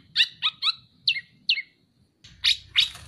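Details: Kepodang, the black-naped oriole, in a masteran recording: a handful of sharp, downward-slurred chips spaced apart, ending with two louder piercing notes over faint low background noise.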